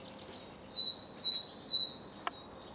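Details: Great tit singing in Cambridge, UK, on 24 March 2020 around 2 pm: a clear two-note phrase, a high note dropping to a lower one, repeated four times at an even, quick pace, with one sharp click near the end.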